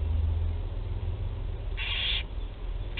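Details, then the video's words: Barn owl chicks in Théding, France, first feeding on 8 July 2020: a single hoarse hissing screech lasting under half a second, followed by the start of another, against a low droning background. "1er nourrissage - 08/07/2020 - Les Chouettes Effraies de Théding"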